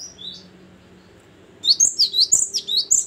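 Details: Gelatik batu (Great tit) starting after faint notes into a loud, rapid series of sharp high paired notes with downward slides, lasting about a second and a half.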